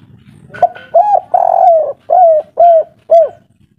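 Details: Local spotted dove singing the kuk 3 pattern in an agitated, noisy mood: a brief note, then a long wavering coo and four crisp down-slurred coos, evenly spaced about half a second apart.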